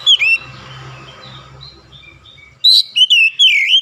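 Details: Song of an oriental magpie-robin in morning sunshine: a short whistle opens, a long quiet stretch with faint hum follows, then a run of loud, rolling, slurred whistled notes.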